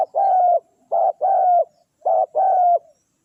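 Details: Spotted dove calling to lure wild doves, giving two clear phrases of a brief coo followed by a longer level coo, low and resonant, close by.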